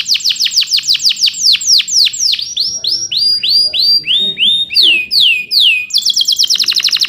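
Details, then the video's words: Singing male canary, a rolling 'cuit cuit' song used to train young birds. It gives a fast series of sharp downslurred chips, then slower looping whistled notes, then a quick high rattle. "PANCINGAN KENARI GACOR NGEROL CUIT CUIT EMOSI UNTUK MASTERAN KENARI PAUD AGAR CEPAT BUNYI DAN GACOR"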